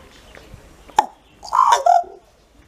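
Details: A common raven gives a single sharp knock, then a hoarse, throaty two-part croak a half-second later, against a quiet background.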